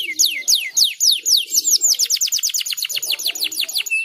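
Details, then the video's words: Lively canary song of looping, falling whistled notes that speed up into a rapid rolling trill, ending on a short steady high note; soft low background sounds. "Terapi Kenari Gacor"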